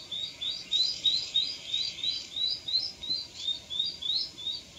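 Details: Recently fledged young Japanese sparrowhawk, a small hawk, giving a steady run of high, thin, upslurred notes, roughly three per second, fairly even in loudness, with a quiet hiss behind.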